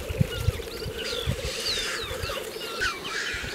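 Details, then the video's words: Black grouse lekking in April 2024, Kologriv Forest, Russia: a steady low bubbling, pulsing murmur runs through the whole stretch, with thin whistled notes of other birds above and soft thumps below. "Tedremäng. Aprill 2024"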